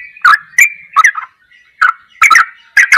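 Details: Goklikan ropelan style song of a yellow-vented bulbul, used as training material: clipped, gurgling notes delivered in separated bursts with clicky attacks, a quiet gap, then doubled and tripled notes.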